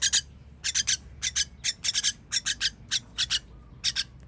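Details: Chicks begging during feeding on 21.06.23: short, broadband raspy hisses grouped in twos and threes, repeated steadily about every half second, with a quiet low hum underneath.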